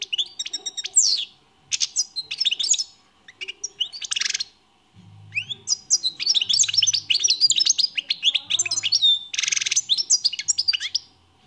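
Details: Lively European goldfinch song in repeated phrases of rapid tinkling and twittering notes, some harsh buzzy bursts, separated by short silences; soft low thuds in the background.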